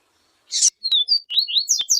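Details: Yellow-bellied seedeater (papa-capim) song in the siu siu style, with a female calling to warm up the male, a training recording: a harsh buzzy burst, then a quick run of high, sharp whistled slurs, some falling, some rising.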